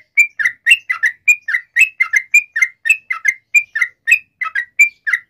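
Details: Energetic sooty-headed bulbul song played to set other bulbuls singing back: a steady run of short, bright, slurred whistles, each phrase dipping and rising, repeated rapidly over five seconds with no other sounds.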